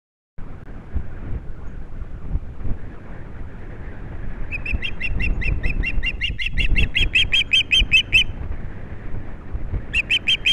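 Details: Osprey pair at a nest on Captiva, watched by a nest camera on 22 January 2022, the male bringing a big fish to the female; after steady background rumble, a burst of rapid high chirps runs about four seconds, then resumes near the end.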